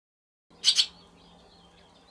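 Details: Barn swallow at a nest on 19 April 2023, 22 days after hatching, the day the single chick fledged and later returned to sleep in the nest at night; two quick, sharp chirps in close succession, then a faint steady low hum.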